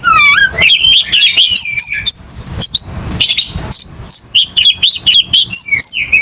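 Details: Oriental magpie-robin in aggressive fighting song, opening with rising whistles and chatter, then a run of short, sharp, evenly spaced chirps about four per second.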